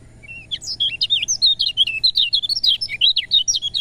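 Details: Lemon-bellied white-eye singing a continuous stream of quick, high, warbling chirps that rise and fall without a break for nearly four seconds. It is a song used to stimulate lazy birds into voice.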